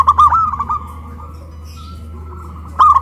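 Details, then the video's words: Zebra dove caged and raised on a pole in Kuningan, West Java; one quick bubbly coo phrase, a long quiet pause with low hum, then another phrase beginning. "PERKUTUT LOKAL SUARA BESAR VS SUARA KRISTAL"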